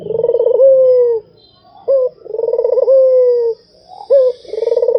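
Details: Continuous cooing of a Barbary dove: repeated phrases, roughly two seconds apart, of a quick sharp note, a vibrating roll and a long, gently falling coo.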